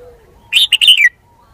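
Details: Caged red-whiskered bulbul delivering one brisk, bubbling whistled phrase of three or four notes ending in a downward slur, with a faint low tone beforehand.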